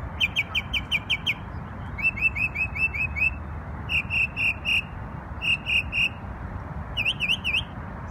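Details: Bird in New York on Memorial Day giving a varied song of short high trills and repeated notes in separate phrases, each with a different note shape, over a constant low rumble.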